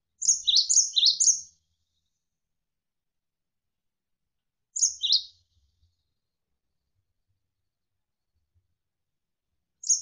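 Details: Javan sparrow (gelatik wingko) tutor recording for songbird training: a burst of three rapid, high chirps, then a single chirp after a pause, with silence between.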